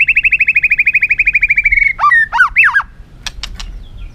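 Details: Caged white-rumped shama (chòe lửa, murai batu) in heated competitive song: a long fast even trill of repeated notes, then looping whistled slurs and three sharp clicks.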